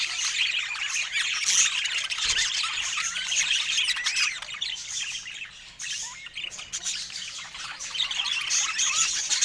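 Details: Budgerigars, described as rare, filmed in natural Scandinavian light; dense, continuous high chirping and warbling chatter from several birds, with squawky notes and no speech or music.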